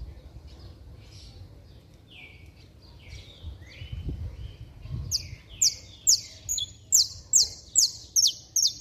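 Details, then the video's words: Saffron finch in vigorous song meant to rouse other saffron finches. Soft, scattered lower chirps open, then loud, crisp, high notes repeat steadily about twice a second. "Canário da Terra Estralando Muito - Ótimo Para Esquentar Qualquer Canário-da-terra!!!"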